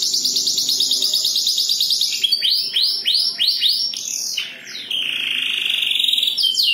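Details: Domestic canary delivering a high rapid trill, then a series of five looping swept whistles, a descending slur and a long sustained buzzy tone, ending on a quick high note.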